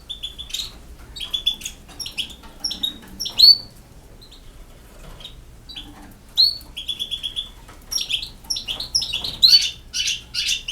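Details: Campero-style singing from a European goldfinch from Bosnia (BiH): short clusters of sharp, high tinkling and buzzy notes separated by brief silences, with a liquid twittering flourish near the close.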